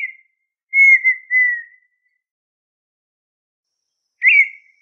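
A partridge gives clear, pure whistles: one drawn-out, slightly wavering whistle about a second long, then a shorter whistle three seconds later. The background is otherwise silent.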